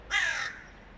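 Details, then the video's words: Single harsh, drawn-out caw from a hooded crow, the boss crow's mate, demanding an attack on a young crow. "Самка Босса требует экзекуции молодой вороны / Boss crow's mate demands execution of a Young crow"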